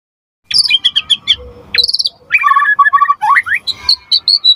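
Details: White-rumped shama sings energetically to provoke other shamas and serve as a master song. The song starts after a short silence with high chattering notes, then rapid repeated mid-pitched notes, rising slurs, and high whistles.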